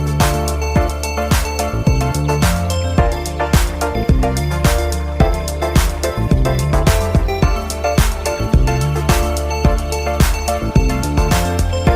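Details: Rhythmic music with steady beats and a heavy bass line fills the whole stretch, with no animal calls audible.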